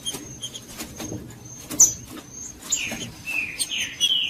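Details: Green-winged saltator song of the Judas style, played to warm up silent caged saltators: loud whistled downslurred phrases in the second half, amid sharp chirps, clicks and a thin constant high tone.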